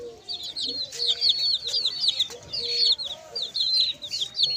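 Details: Chicks chirping together: a dense, steady chatter of thin, high peeps, many sliding downward and overlapping, with soft low drawn-out notes running underneath and a few faint knocks.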